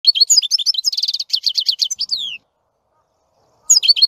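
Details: European goldfinch singing: a fast run of twittering, tinkling notes with a buzzy trilled stretch and a downslurred whistle, then a short silence before the twitter resumes.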